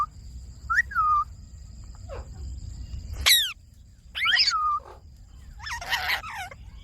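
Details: Green pet Indian ringneck parakeet vocalising: scattered slurred whistles that rise then fall, interspersed with sharp, harsh squawks and a rough buzzy call near the end.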